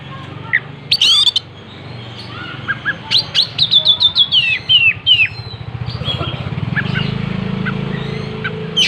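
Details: Oriental magpie-robin singing while spreading its tail; a burst of sharp notes, then a rapid rhythmic run of whistled chips, after which a steady low mechanical buzzing takes over the background.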